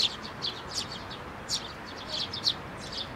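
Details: Sparrows landing on an outstretched hand for food at a Tenmangu shrine, 19 May 2024, give quick bursts of thin, high chirps, some doubled, in an irregular scatter over soft background noise.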